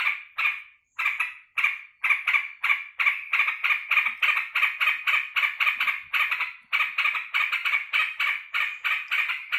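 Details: Yellow-vented bulbul welcoming its keeper home after work: a few spaced harsh notes that build into a dense, buzzy chattering series, briefly broken, then continuing strongly.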